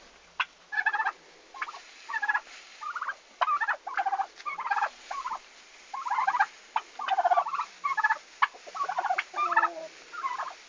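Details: Turkeys on their first day at an Estonian farm, 11 August 2015: a continuous run of loud rattling gobbles, bursts following one another about every second, several birds overlapping.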